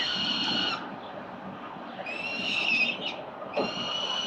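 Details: CCTV at a Victorian building nest of four Peregrine Falcon chicks fed breakfast on 4 November 2021. Shrill harmonic wails at start and end, with a quieter stretch of softer calling between.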